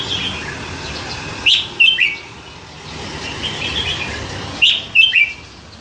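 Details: A captive red-whiskered bulbul with a wide repertoire of songs delivers two quick, chirpy whistled phrases, each of three notes dropping slightly in pitch, about three seconds apart, over steady low noise.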